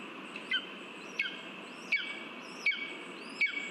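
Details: Lesser spotted eagle calling at the nest with a delivered mouse, 13 August 2023: five evenly spaced, piercing yelps, about one every 0.7 seconds, each with an upswept start, over continuous background noise.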